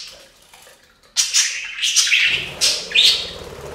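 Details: Pet budgerigars taking a bath at a fountain give quick, high, sharp chirps in a loose series over the sound of trickling and splashing water.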